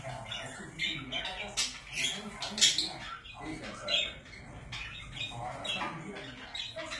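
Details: Pet budgies chatter softly in scratchy chirps and warbles, with a couple of louder squawks near the middle.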